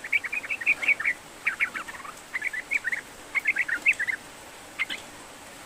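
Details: Sooty-headed bulbul singing, used to prompt a reluctant bird: quick bubbly groups of short mid-pitched notes repeated in bursts with brief pauses, against a steady hiss.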